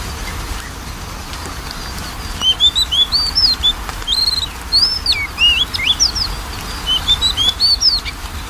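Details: Lure for a lazy-singing Oriental magpie-robin: after a quiet start, a lively stream of varied whistled notes, quick upslurs, downward swoops and twittering flourishes runs for about six seconds, bright and high, with faint background hiss.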